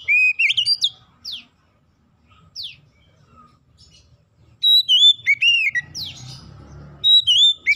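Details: Oriental magpie-robin song meant to get other magpie-robins singing; an opening whistled burst, scattered sharp downward zips, a quiet stretch, then a lively run of looping whistles with faint rumble underneath.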